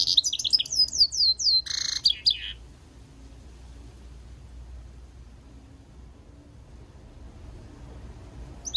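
A goldfinch-canary mule sings a quick run of high, twittering notes and trills for about two seconds, then falls quiet, leaving faint background hum.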